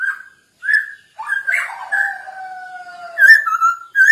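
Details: Masked laughingthrush (poksay hongkong), in song used as a lure to train other birds: short whistled phrases, then a sustained, slowly falling double whistle ending in quick, rising, slurred notes.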